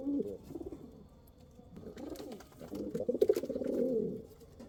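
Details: Rampuri / kal cheeni pigeons cooing in low, throaty, rolling bursts that swell and fade over a few seconds, several birds overlapping in a small enclosed space.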